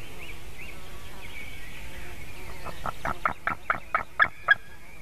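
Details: Nestling white-tailed eagle in Latvia, 9:05 AM on 17 June 2019, with a buzzard landing behind the nest: soft songbird notes give way to a rising train of about eight rapid, strident yelps.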